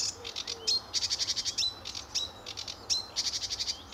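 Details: Lively sedge warbler in early morning sun at RSPB Fowlmere, July 2013, delivering bursts of harsh high chatter broken by short clean rising whistles.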